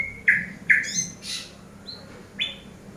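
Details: Eurasian tree sparrow used as a master bird for training, giving short bright chirps spaced irregularly over three seconds, with a few higher thin notes and a faint hum beneath.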